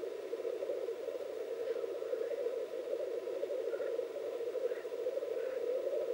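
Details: Two male Black grouse at a lek at dawn in Finland, posturing and fighting, give an unbroken, low, dove-like bubbling with a few faint sneezing hisses over it.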